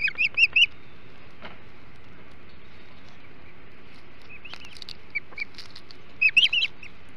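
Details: Hog Island Ospreys at the nest feasting on a huge flounder, morning of 21 July 2016; clusters of shrill, slightly rising whistled chirps open and close the stretch, with sparse single notes and quiet hiss between.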